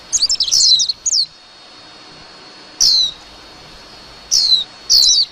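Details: Warbling white-eye song: a short opening flurry of high, jumbled chirps, followed by a quiet gap and then single thin slurred notes, ending in a brief cluster of rapid twitters.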